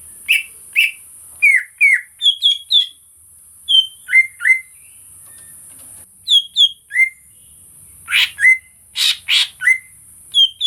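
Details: Song of a greater green leafbird, recorded for real: rapid varied whistles in pairs and triplets, downslurred and upturned, broken by several harsh scratchy bursts near the end, over a constant high-pitched hiss.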